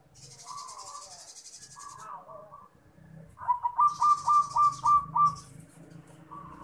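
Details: Local zebra dove, perkutut, giving its cooing master song for luring birds: soft hooting notes, then a rapid burst of about seven bright, whistled, pulsing coos, with a faint hiss in the background.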